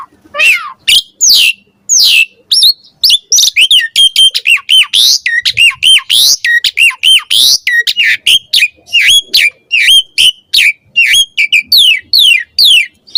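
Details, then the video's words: Javan pied starling song meant to train young starlings: a dense, fast stream of harsh squawks, chattering notes and swooping whistles with hardly a pause. "Pancingan Jalak Suren Auto NYAUT RESPON Mompa Gacor Full Isian Buat Masteran Suara Burung Jalak Muda"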